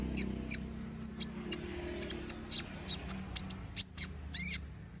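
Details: Brown-throated sunbird in sharp, chattering song for training other birds: scattered, very high thin chips and short squeaky notes separated by brief pauses, with faint low background hum.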